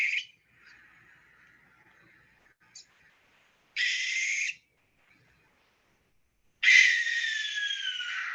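Barn owl giving two long, harsh, hissing screeches, the second louder and drawn out over nearly two seconds, with a quieter rasp at the start.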